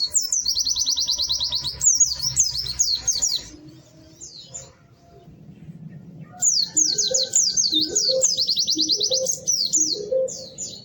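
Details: Lively, melodious white-eye song of high, rapid, trilled chirps in long runs, broken by a quieter pause. Faint low tones and a murmur run underneath, with soft mid-pitched notes near the end.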